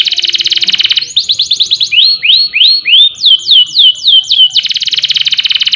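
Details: Canary in loud 'ngerol nembak' song, played to provoke other canaries and teach young birds: a rapid high trill gives way to slurred, looping whistles, then the fast trill returns.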